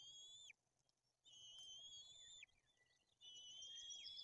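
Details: >White-tailed eagle chicks at a nest in Tuchola Forest, Poland, during a fish feeding with two chicks, the older one aggressive. Drawn-out high whistles, each ending in a downward flick, come in three bouts with quiet gaps between them.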